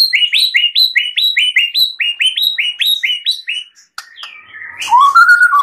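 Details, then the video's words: White-rumped shama master recording for training other birds, full varied song: about fifteen quick upswept chip notes in rapid succession, followed by a sharp click and a sliding whistled phrase. "Masteran murai batu full isian suara jernih || Pancingan kicau murai batu agar gacor"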